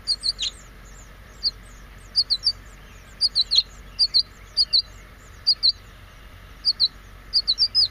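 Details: Five house finch chicks in a nest beg at feeding time as the female, then the male, arrive to feed them: thin, high, sharp chirps in quick clusters of two to four, every second or so, over a faint steady hum.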